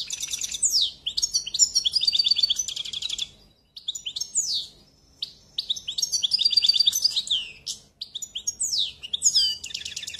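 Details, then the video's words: Goldfinch singing in long, fast phrases of sweet twitters, slurred whistles and buzzy trills, broken by one brief pause midway; the bird is clear and close, with little background noise. "Très beau Chant"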